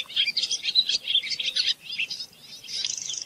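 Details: Short burst of barn swallow song: bright chirps and warbled notes, then a softer stretch and a rising rattling buzz at the end.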